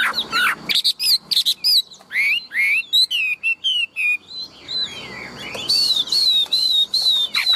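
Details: Caged tame Chinese hwamei, a big-bodied bird, singing loud fast phrases of sweeping whistles and clipped chirps, then a steady series of high whistled notes repeated several times per second.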